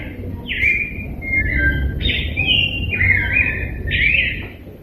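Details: Rose-breasted Grosbeak, locally called degollado, singing a rich warbled song. Short rising and falling whistled phrases are strung together with brief pauses and repeated across the stretch, over a low rumbling background.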